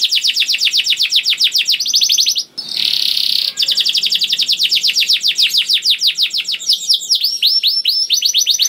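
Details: Canary juvenile sings a nonstop rolling song used to stimulate other canaries: long runs of rapid sweeping chirps, a short harsh buzzy burst, then more fast trilled notes.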